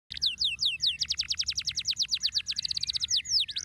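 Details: Canary giving stimulating song: high, fast, evenly spaced descending chirps forming a rolling trill, speeding into a tight run and ending in a few slower sweeping notes.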